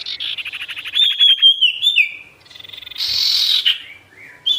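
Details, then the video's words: Energetic sirtu song for luring wild birds, full of natural variations: a rapid train of high chirps, then clear whistled notes sliding downward, a pause, and a loud buzzy rattling burst. "SIRTU GACOR BIKIN EMOSI BURUNG LIAR | Full Variasi Alam"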